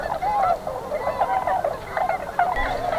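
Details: A flock of Tundra Swans at a spring migration stopover in southwestern Ontario near Pinery Provincial Park, on their way north from winter grounds to breeding grounds, calls around sunrise in a dense, overlapping, nonstop chorus of mellow, high whooping and yelping notes.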